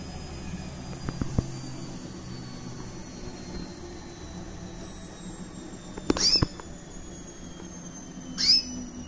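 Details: Female recessive white canary, about one year old, with red-factor eyes, chirping: two short upward-swept high chirps late in the recording, separated by about two seconds, over faint clicks and low background hum.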